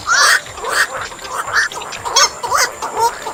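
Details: Black-crowned night heron calls played to lure birds into nets: harsh, nasal squawks repeated about every half second, each a short rough bark with a faint hiss behind.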